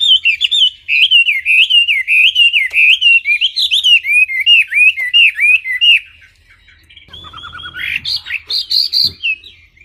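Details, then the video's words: Clear wambi song of rapid, wavering whistled notes that rise and dip in a steady chain for six seconds, followed after a short gap by a few higher, scratchier phrases. "Kicau Burung Wambi Jernih"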